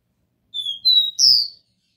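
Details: Copper seedeater (caboclinho) singing the pure 'Dó Ré Mi' song style, played to stimulate a captive bird: two clear, slightly falling whistled notes followed by a higher buzzy, rasping note, all in a quiet background.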